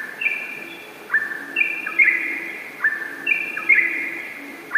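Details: Yellow-vented bulbul singing spaced liquid phrases, each ending in a downward glide, repeated about every 1.5 seconds over a soft background hiss.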